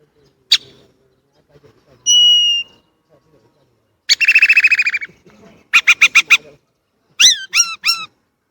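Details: Chinese blackbird song made of varied phrases: a sharp click, a flat whistled note, a rapid buzzy trill, a short run of evenly spaced harsh notes, then several quick downslurred whistles.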